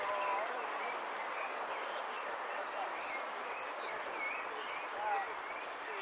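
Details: Saffron finch from the yellow 'sin cierre' class, third place at the Zona Norte contest of 01 11 15: after a few scattered high ticks, a fast string of bright, shrill descending notes runs about three per second, with distant talking behind.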